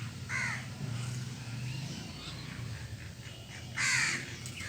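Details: Feeding crow eating cooked food and grains, calling with two harsh caws, a softer one at the start and a louder, broader one near the end, over a low hum.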